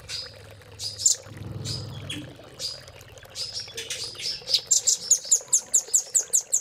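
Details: Velvet-fronted nuthatch training song for caged birds, cililin filler: scattered high chirps over low background noise build into an evenly spaced series of sharp piping notes.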